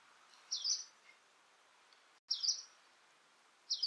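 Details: Hume's leaf warbler in the UK, a late autumn arrival from the far east that may overwinter in very small numbers; three short, high, buzzy call notes spaced about one and a half seconds apart against quiet background hiss.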